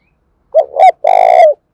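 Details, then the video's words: Spotted dove cooing as a lure for other doves: two quick rising hoots followed by a drawn-out, buzzy-edged coo sliding down at the close, loud and clear in a quiet setting. "Cu gáy thúc bổi rất sung, Tiếng cu gáy cực hay"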